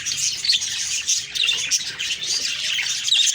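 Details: Budgies on the morning of October 2, 2023 keep up a thick, high chatter of chirps and squeaks, with occasional sharper whistled notes piercing the steady twittering.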